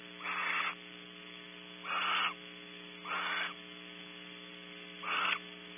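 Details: Barn owls at a nest cavity on Starr Ranch, California, pair bonding with a food gift. Four breathy, rasping hiss-screeches about half a second long, repeated roughly every second and a half, with constant electrical hum beneath.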